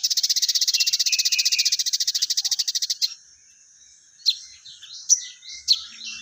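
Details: Crested jay (sogon) in full voice: a dry, rapid rattle of evenly pulsed high notes for about three seconds, then scattered sharp chirps and short whistled slurs.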